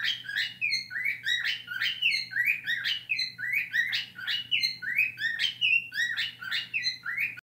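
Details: Harsh, rapid, buzzy screeches from a pet cockatiel that learned a scream song and honking, repeated nearly once a second throughout without pause.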